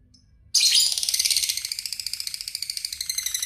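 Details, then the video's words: Lovebird in an excited state, singing a long, fast, high chattering trill that bursts in loudly after half a second of quiet and runs on as evenly repeated ticking notes, with no other sounds. "labet emosi lari kbunyi"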